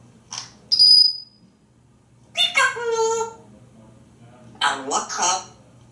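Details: Pet African grey parrot in a Texas home, perched on the shower during a playful game with its owners; a sharp high whistle, then harmonic, speech-like phrases and a raspy burst, followed by whistling and "Peek-a-boo".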